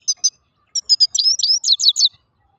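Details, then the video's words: Grey-crowned goldfinch, also called Altai goldfinch, singing: two short high chirps, a brief pause, then a quick run of bright twittering notes with a rising slurred whistle, closing in fast descending chirps. Background otherwise quiet. "пение щегла седоголовый щегол. алтайский щегол песня"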